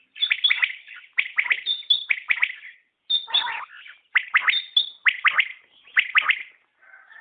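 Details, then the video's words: {'caption': 'Batair, the common quail, delivering steady clusters of sharp triple notes with thin high tones between, repeated about once a second.'} "Batair Ki Awaz | Common Quail Calling| Naye Batair Ki Awaz|New Recording Common Quail| Batair sounds"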